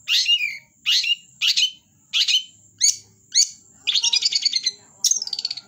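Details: Long-tailed shrike in lively song: a series of loud downslurred harsh notes about every half second, then rapid stuttering trills of clicking notes, with a faint continuous high tone.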